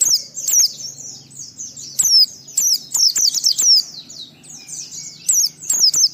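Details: White-eye singing in a varied, energetic style meant to provoke other white-eyes into singing; high thin chirps and twittering runs with loud sharp downslurred whistles repeated in bursts throughout.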